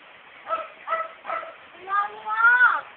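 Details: Speech-mimicking female myna kept as a house pet gives three short spoken-sounding syllables, then a longer wavering voice-like phrase, recorded indoors.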